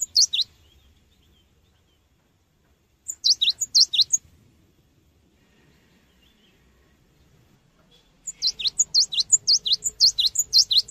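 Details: Cinereous tit in lively song, recorded as a lure for training birds: brief bursts of high, sharp, swooping chirps separated by several seconds of near silence, ending in a longer rapid run of paired notes.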